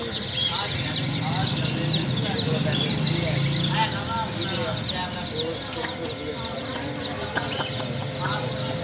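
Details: Many chickens' chicks in a group chirping continuously: dense overlapping high peeps, some rising and some falling, with low humming and murmured voices in the background.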